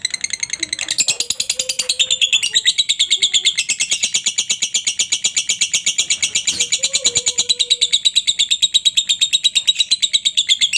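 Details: Lovebird giving a long ngekek chatter meant to prompt other lovebirds to answer: a fast, steady stream of harsh high chips, about three per second, running unbroken for the whole stretch, with faint low tones in the background.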